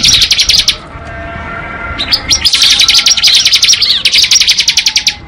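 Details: Bar-winged prinia, ngebren song: a rapid high chatter, a short pause, then a long unbroken run of fast, sharp chirps delivered in a dense, metallic rattle.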